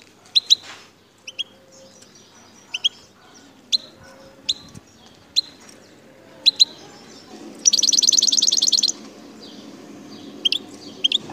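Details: Wild Algerian goldfinch from the El Tarf sector, Bouthelja, Algeria, known locally as parva. Scattered high, sharp chirps come every second or so, then a dense buzzy trill of rapid repeated notes near the end, over a low background hum.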